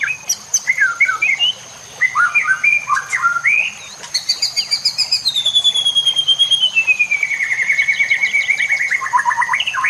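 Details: White-rumped shama singing, used as a master recording for training, over nature sounds and trickling water: varied twisting whistles and chips, then a long high trill that slowly slides downward, ending in quick falling notes.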